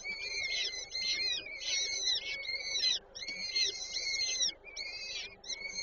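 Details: At a peregrine falcon nest in Warszawa Żerań, Poland, on 8 May 2023, while the female feeds chicks: insistent raspy squealing calls, near-continuous, with wavering harsh notes and short pauses around three seconds in.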